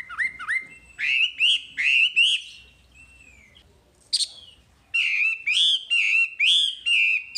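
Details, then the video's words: Wambi singing for masteran material: a series of swooping whistled chirps, a pause with a soft thin note and one harsh burst, then more repeated looping whistles. "Masteran Wambi paling istimewa full materi"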